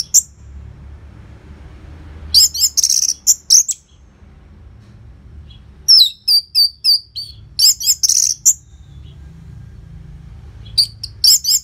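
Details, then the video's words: Orange-headed thrush kept caged, in strong song used as a prompt for other birds: repeated bursts of high, sharp whistles and quick downslurred notes, several phrases spread across the recording with short quiet gaps. "Pancingan & Masteran ANIS MERAH Gacor Jeda Rapet Suara Keras || Burung Macet Pasti Ikutan Bunyi."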